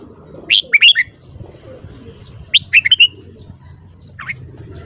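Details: Morning song of a caged red-whiskered bulbul used for voice training: two short bright whistled phrases of four or five quick notes about two seconds apart, then a faint single note.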